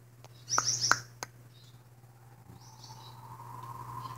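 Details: Blue-naped mousebird, a male pet, chatting while getting morning cuddles indoors: a quick cluster of sharp, high chirps in the first second, then a faint, drawn-out tone over steady low electrical hum.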